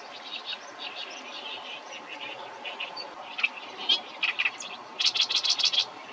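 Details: Oriental reed warbler song pieced from short fragments: soft scratchy chatter, a few louder rasping notes, then a rapid closing series of loud, harsh, repeated grating notes.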